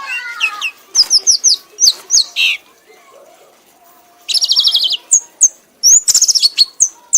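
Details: Award-winning captive red-whiskered bulbul in a frenzied singing bout, pushing on to exhaustion. Rapid high whistled notes and falling slurs alternate with a buzzy trilled stretch, a short pause in the middle, then quick chirping phrases resume.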